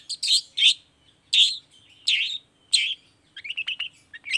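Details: Long-tailed shrike singing on a lure recording meant to provoke other shrikes into answering: loud, harsh, broadband squawks spaced roughly every half second, then a fast series of short high chirps near the end.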